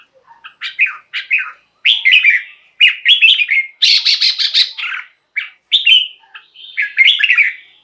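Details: Red-whiskered bulbul in a cage singing for use as a decoy or to rouse other birds: jaunty whistled phrases, a rapid grating chatter midway, then further short melodious notes.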